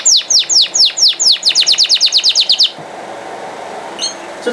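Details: Canary song: repeated loud down-slurred whistled notes that speed up into a quicker series, then stop, followed by quiet with a couple of faint distant chirps.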